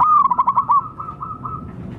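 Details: Wild local zebra dove, recorded to lure wild birds, gives a rapid string of clear, short cooing notes that fades into a few softer, drawn-out coos.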